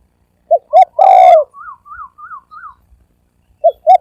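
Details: Super-fast spotted dove cooing in thổ ồm and thổ vang style: two short notes and a long loud coo, followed by four soft, higher, wavering notes, then the short opening notes begin again.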